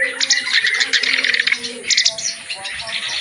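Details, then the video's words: Brief burst of loud clamorous reed warbler song from a full-repertoire tutor recording. A harsh, continuous chatter of fast notes pauses briefly, then resumes in a short grating phrase. "KICAU BURUNG KERAK BASI GACOR ISIAN FULL MATERI"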